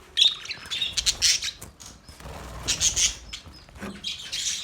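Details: Male budgerigars chirping in short bursts of high, scratchy chatter, with quiet gaps between bouts and soft wing flutters.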